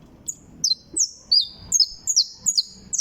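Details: Saffron finch (canario criollo) trilling: a steady series of high, clear notes, each dropping sharply in pitch then holding briefly, repeated roughly every third of a second, over a low background rumble.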